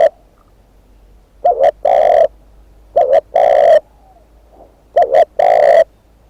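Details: Spotted dove serving as a decoy bird, calling three times with clear pauses; each call is a quick double coo and then a long, full coo.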